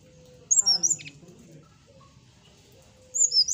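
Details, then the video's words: Morning singing by a brown-chested jungle flycatcher: a short burst of high, sharp whistled notes, a long quiet stretch with faint low murmuring, then another brief high whistled phrase at the end. "suara srdc di pagi hari"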